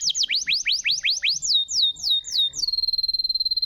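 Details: Canary song used to prompt silent birds: quick rising whistled notes, several falling slurs, then a long sustained high tone with a fast trembling trill.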